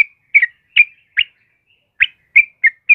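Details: Sooty-headed bulbul, the 'kebo' type, singing vigorously in the morning: short, loud whistled chirps, each slurring down, spaced in an uneven run of eight notes with brief silences between.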